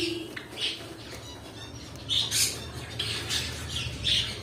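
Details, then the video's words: Pet cockatiels call in short shrill squawks, a few near the start and a tighter cluster of loud bursts in the second half. "My Cockatiel Birds"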